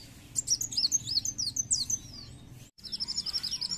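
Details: Purple-throated Sunbird call used as a lure to set other birds singing: thin, very high slurred twitters and looping whistles in a quick jumble, a brief break, then a fast series of high buzzy chips.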